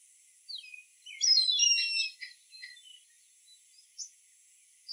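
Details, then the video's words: Indian grey hornbill calling: a burst of shrill, overlapping whistled squeals sweeping downward, with a loud dense cluster around the middle, then short scattered sharp notes and a faint high hiss throughout. "Indian Grey Hornbill Call"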